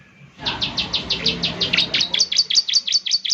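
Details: Bar-winged prinia song for prompting a caged bird to sing: a continuous fast series of high chirps, roughly three per second, with faint low murmuring underneath.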